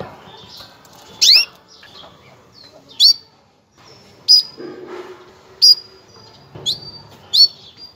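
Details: Breeding-season call of a female canary readying males, made of isolated piercing chirps that sweep upward, given every one to one and a half seconds, with soft low murmurs in between.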